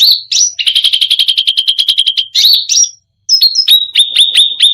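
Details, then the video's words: Cucak rante in full, lively song meant to provoke other birds: fast runs of sharp, repeated chirping notes in steady pulses, a brief pause, then separate emphatic whistled notes. No other sounds. "Cucak Rante full isian gacor || bikin emosi burung lain"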